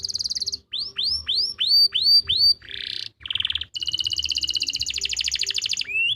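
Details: Canary master song from Pati, Central Java, used to lure silent or young canaries into singing: six swooping descending whistles, a couple of buzzy bursts, then a long rolling trill ending on a rising note.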